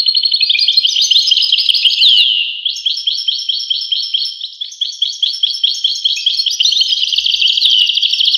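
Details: Fast, jingling goldfinch song: a run of tinkling twitters, then a brief pause and a long series of evenly spaced, bright chirped notes.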